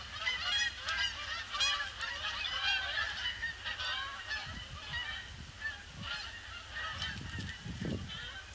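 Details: Big flock of Canada geese circling a pond before landing on Boxing Day 2015, a gloomy grey day; loud, rapid, overlapping honks almost once a second, with low thumping noise toward the end.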